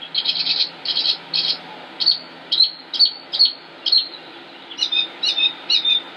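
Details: Northern mockingbird male, Concord, North Carolina, United States, May 2016, singing harsh rapid buzzy bursts three times, then sharp high notes repeated about every half second, then another repeated chirp type.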